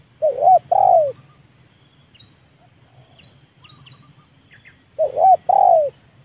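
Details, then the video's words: Spotted dove trained for luring, the 'leopard' kind, trying to call wild birds down to the yard. Two cooing phrases about five seconds apart, each a wavering note then a long falling coo. Faint distant chirps come between them. "TEKUKUR LEOPARD AJARAN RASA PIKAT"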